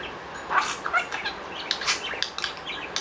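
A budgerigar gives short, scratchy chirps at an uneven pace over three seconds, mixed with soft rustling and wing-flutter sounds.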